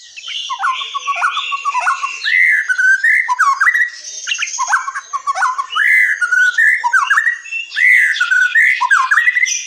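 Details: Forest white-rumped shama singing, played to coax silent or young shamas into song: loud, mellow whistled phrases that rise and fall, woven with scratchy high chatter in short bursts separated by brief gaps.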